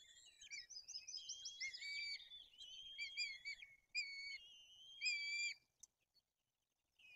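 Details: White-tailed eagles at a nest in Bory Tucholskie, Poland, during fish delivery and chick feeding, with the older chick acting aggressively; dense bursts of high whistled, slightly wavering notes, then longer level whistles and short pauses.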